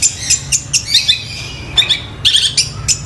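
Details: Long-tailed shrike imitating Gereja Tarung and Tengkek Buto sounds, giving short scratchy, very high chirps and a few buzzy double notes spaced irregularly, above a low constant hum.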